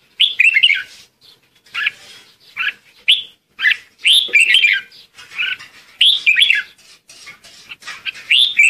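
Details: Lure red-whiskered bulbul singing to call the flock: rapid series of short, lively warbled phrases, about one every half second to second, varied, sweet and high-pitched, with brief silences between bursts.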